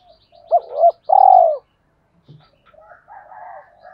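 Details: Spotted dove calling two hens and goading rivals to fight: a double hooting coo, then a long rolling purred note, followed by quieter soft coos and faint twittering.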